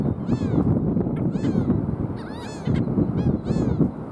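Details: Black skimmer calls as drawn-out nasal yelps, each rising then falling, given in clusters roughly every half second to second, with a low rumbling noise underneath.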